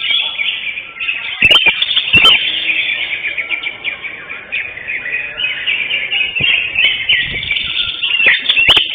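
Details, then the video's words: At a bird-song contest, Kopdar Mahesa Jenar session 5 on 11 October 2025, the first-place greater green leafbird pours out continuous high warbling and chattering, with a few loud clicks and other contestants in the background. "JUARA 1 CUCAK HIJAU JENAR"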